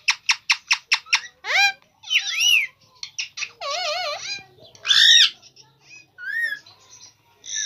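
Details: Green Indian ringneck parakeet talking and mimicking, opening with six evenly spaced sharp clicks, then wavering whistles, buzzy warbled phrases and a loud rasping squeak, ending with short scattered notes.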